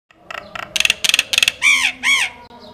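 A myna gives a run of clipped, rasping notes in quick bursts, then two drawn-out, arching caws very like a crow's.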